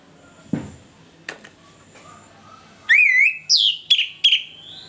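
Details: An orange-headed thrush sings in the morning, a recording for luring lazy birds into song: a soft click and quiet stretch, then rich wavering whistles and several rising slurred notes in quick succession.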